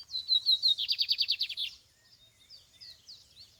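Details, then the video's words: Lined seedeater singing outdoors in the field: slurred high whistles lead into a strong, fast, evenly pulsed buzzy trill, then quieter thin whistles and chirps trail off. "Campeada de bigodinho"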